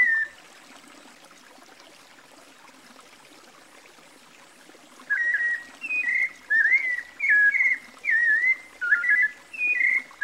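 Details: A White-necked Thrush (Sabiá-coleira, Turdus albicollis) in Brazil sings a series of short, slurred whistled phrases around mid-high pitch, given in quick bursts after five seconds of near silence.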